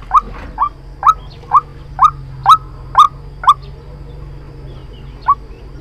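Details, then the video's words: White-breasted waterhen lure call used for trapping. Seven emphatic rasping notes about two per second are followed by a pause and one final note, with a low hum underneath. "Tiếng chim quốc Mồi chuẩn dùng để bẫy"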